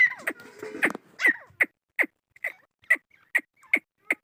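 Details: Chukar partridge giving a steady series of short, sharp clucks, evenly spaced about every 0.4 seconds, following a brief jumble of overlapping notes at the start.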